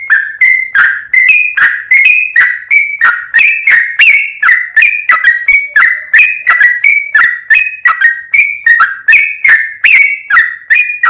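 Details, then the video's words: Rapid 'full ropel' song of a sooty-headed bulbul, meant to provoke rival bulbuls into singing. Short, bubbly whistled phrases repeat about three times a second, some rising and some falling, in a steady, unbroken stream with a clean background. "MASTERAN BURUNG TRUCUKAN GACOR FULL ROPEL, BIKIN TRUCUK LAIN LANGSUNG NAIK EMOSI DAN GACOR"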